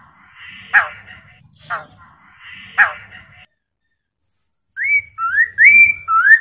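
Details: Chinese hwamei song for getting other hwameis to respond: after harsh broadband bursts, a fast series of clear, upward-sliding whistles begins and dominates the final seconds.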